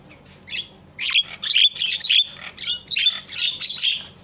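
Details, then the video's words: Javan myna calls meant to make other mynas call out: harsh, scratchy chattering bursts in dense runs with brief clear whistled notes mixed in, low background hum. "SUARA INI MAMPU BIKIN JALAK LAIN PADA TERIAK"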